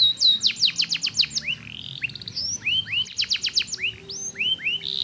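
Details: Canary lure song meant to stir idle canaries into singing, with rapid rattling runs of steep rising chirps broken by slower curved whistles and a short buzzy stretch, repeated in quick succession over a faint background hum.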